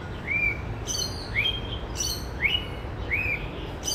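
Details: Male white-rumped shama, a kept pet bird noted for varied song and mimicry of other species, giving clear rising whistled phrases about every second, with ringing high overtones, over a steady low rumble.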